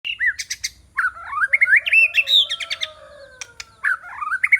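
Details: White-rumped shama song used as a decoy to lure rival birds: rich varied warbling with rising and falling whistled phrases, slurred notes and fast chirps, plus a low sustained tone underneath.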